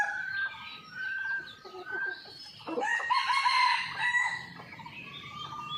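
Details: Wild red junglefowl filmed by a hidden camera on a morning after a storm, the birds very active. A loud, harmonic crow rises and swells mid-clip after softer drawn-out notes, with faint bird chirps in the background.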